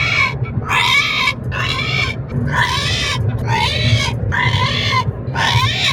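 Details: Raspy, nasal "rehhh" screams from a parrot during a car ride, repeated in steady bursts against a deep rumbling engine drone.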